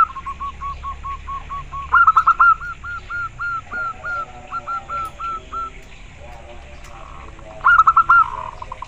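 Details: Clear, persistent song of a local zebra dove: long strings of short, evenly spaced cooing notes, with louder stuttering bursts near the start and end. A fainter series overlaps in places against quiet background noise.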